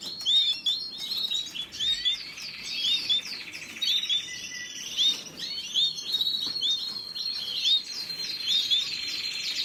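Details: Canary song: a fast flow of sharp chirps, sweeping whistles and buzzy trills, delivered in a steady stream with brief dips in loudness.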